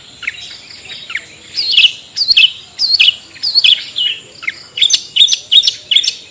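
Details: Ngetet-style song of a long-tailed shrike, meant as a lure for caged shrikes that sing poorly. Sharp high chirped notes come in loose groups, with a slight pause between phrases and a faint steady high tone underneath.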